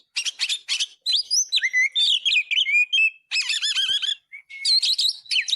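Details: Oriental magpie-robin (kacer) singing 'gacor', used as a tutor song: buzzy chattering bursts alternate with quick descending whistles and bouncing, warbled notes, almost without a break.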